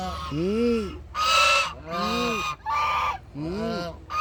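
Duck calls: nasal, arched squawks alternating with harsher, brassy honks, about five calls in four seconds, with no other sounds.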